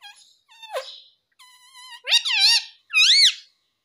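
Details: Pet parrot speaking: a series of clear, harmonic, voice-like tones, first level and steady, then louder wavering, rising-and-falling syllables that bend like mimicked words, in a small quiet room.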